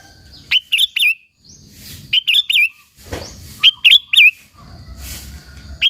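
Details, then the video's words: Sooty-headed bulbul (kutilang) singing to provoke rivals: a wavering, bubbly whistled phrase of several quick notes, repeated about every one and a half seconds between soft rustling noises. "Suara Burung KUTILANG GACOR, Burung Kutilang Lain Emosi dan Ikut Gacor Ampuh untuk Suara Panggilan"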